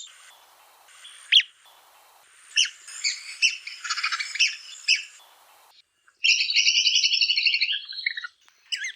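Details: Red-cockaded woodpecker calling: sharp, high-pitched chattering notes in short bursts, then a rapid, buzzy rattling trill lasting about two seconds, separated by brief silent gaps.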